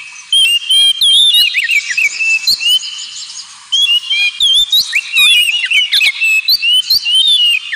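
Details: Ngemplong song of a pet Oriental magpie-robin: rich varied whistled phrases, looping up and down, delivered in loud bursts over a continuous hiss.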